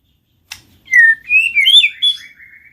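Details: A short, sweet warble from a White-rumped shama, played to encourage singing and mating: a click, then smooth rolling whistled notes rising and falling before trailing off.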